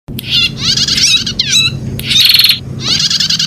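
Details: Prinia song used as a training call for caged songbirds: loud high bursts of rapid chattering notes alternating with downward-sweeping whistled phrases, repeated in quick succession with brief gaps; low steady hum underneath.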